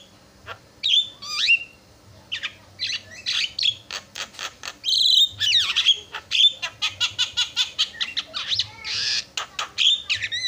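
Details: Javan myna singing to draw responses from rival mynas, a fast jumble of harsh squawks, sharp clicks and whistled slurred notes repeated in quick bursts, dense chatter through the middle.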